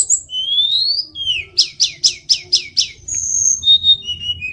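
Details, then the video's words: Mountain tledekan song opening with a rising whistled slur, then six evenly spaced sharp downslurred notes, followed by high thin whistles and short falling phrases. "tledekan gunung biar cepat gacor"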